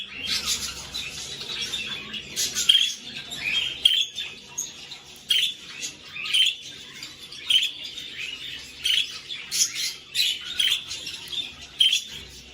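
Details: Budgerigar chicks being fed by their parents make high, harsh chirps and squeaks, begging in bursts.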